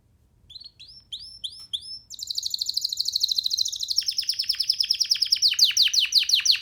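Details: Young free canary singing while sitting on a hand; a few separate upslurred chirps open, then a dense high rattling trill takes over and shifts into rapid downward-sweeping notes repeated several times a second.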